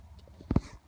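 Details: Downy woodpecker pecking at a tree branch in an Edmonton ravine on a cold autumn day: two quick, dull taps in close succession against a faint low background hum.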